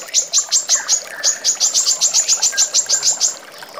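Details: Female brown-throated sunbird, used as a training recording for songbirds: a fast run of sharp, high chipping notes, about five a second, breaking off briefly after one second and then resuming in an even, rapid series.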